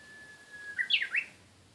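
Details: Japanese bush warbler singing: a long, steady, level whistle, then a quick burst of sharp, rising and falling notes ending in a final upward flourish. The background is quiet.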